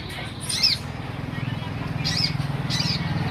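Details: Olive-backed sunbird uttering three high, sweeping chirps, one early and a pair near the end, over a loud low mechanical hum.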